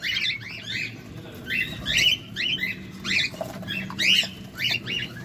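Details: Cockatiel calling while feeding, seen close up: bursts of short, rising, harmonic chirps, often in quick pairs or triplets, repeated irregularly through the clip over a low background murmur.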